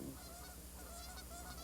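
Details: Giant Canada geese of Missouri's restored native nesting flock give a few nasal, overlapping honks over a steady low hum, with a man's voice talking at the same time.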